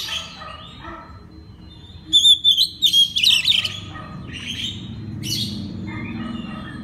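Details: {'text': 'Oriental magpie-robin singing a master song used to train other magpie-robins: faint warbled phrases, then a loud burst of rich whistled and scratchy notes in the middle, followed by softer varied phrases over a low background hum.'}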